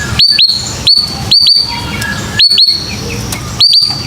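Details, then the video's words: Lure recording of white-rumped shama to stimulate young birds to sing: sharp upslurred whistled notes, usually in quick pairs, repeated every second or so against a quiet background. "TERAPI MURAI PASTOL: Suara Pancingan Khusus Burung Muda Agar Berani Bunyi & Mental Preman"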